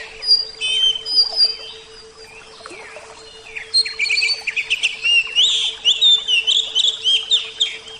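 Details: Kept oriental magpie-robin, Javan type, singing: a few clear whistles, a lull, then a long lively sequence of rapid chirps and rising whistled slurs over a faint steady hum.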